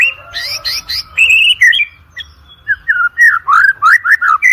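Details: Energetic white-rumped shama song, used as a lure recording for training competition birds: rich, varied whistled and chattering phrases, rapid trills at first, then a fast string of looping, bouncing whistles, about three notes per second.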